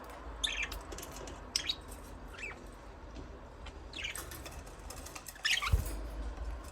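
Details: Budgerigars chirping, scattered short chirps and rising warbled notes at uneven intervals over a steady low background hum, with one louder burst near the end.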